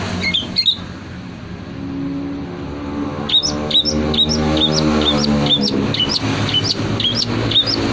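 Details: Long-tailed shrike singing in full voice, its song filled with imitations of prinia and kingfisher: a rapid series of sharp, high, downslurred chirps after a brief opening burst, over a steady low hum and engine-like rumble.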